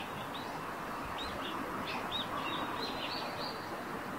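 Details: Eurasian tree sparrow singing on the roof where it nests: short, thin, high chirps repeated rapidly, about three per second, some slightly rising or bent, over a steady broadband background hiss.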